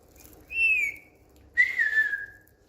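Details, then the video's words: Two clear whistles from a pet Indian green ringneck parrot on a bed; the first bright and gently falling, the second lower, sliding slowly downward after a quiet gap. "Smart Whistling Indian Green Ringneck Parrot Talking on Bed"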